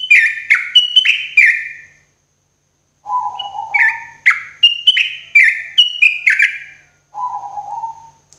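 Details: Morning therapy song of a sooty-headed bulbul for cage birds. Bubbly, slurred whistled phrases of four or five notes come in bursts separated by pauses, with lower mellow whistles between them.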